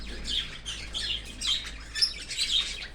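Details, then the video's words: Cockatiel chick fed by a parent outside the nest in an open aviary, giving rasping, hissy calls nearly twice a second, each a short scratchy burst, over a constant low hum. "Australian cocaktail Parrot feeding baby from outside of nest in open aviary."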